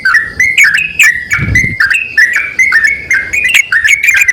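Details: Yellow-vented bulbul male and female answering one another with lilting, stepped whistles in rapid sequence; one short low thump occurs partway through.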